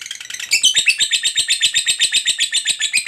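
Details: Fighter lovebird's extended ngekek chatter, used to trigger other lovebirds into song; quiet rattle swells quickly into a loud, fast, high trill of pulsed notes about four per second.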